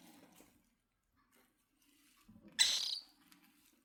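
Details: Cockatiel with a single short, harsh scratchy call near the end, rising sharply and breaking off after under half a second. Before it comes near silence with a few faint soft rustles.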